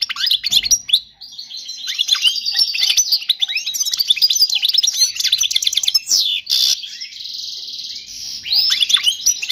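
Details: Error-free European goldfinch song used to teach young birds. A long, unbroken outpouring of rapid chattering and twittering notes with buzzy sweeps, a short harsh burst midway, then more lively twitter.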